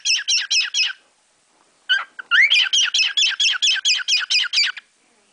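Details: Pet cockatiel indoors singing new tunes learned from sparrows outside the window; rapid series of harsh buzzy chirps, about two per second, in two runs separated by a short pause and a rising whistle.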